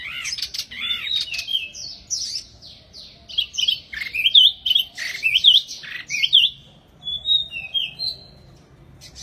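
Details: Wambi bird singing vigorously: varied high chattering, squeaky slurred whistles and quick V-shaped notes in dense bursts, tailing off into softer, scattered high chirps.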